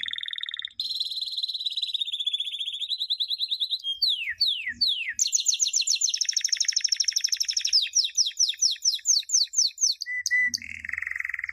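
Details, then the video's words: Champion canary song used to train young canaries: a long steady buzzy trill, three sharp falling sweeps, a rapid high rattling roll slowing into spaced descending notes, ending in a flat whistle and a low buzz. "Entrenando pollitos canarios"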